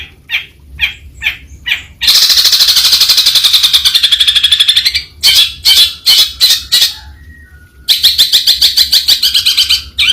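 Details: Long-tailed shrike, a bird of grasslands, rice fields and forest edges, uttering spaced sharp chips, then a long buzzing rattle, clipped notes and another rapid harsh series, with a faint low whistle.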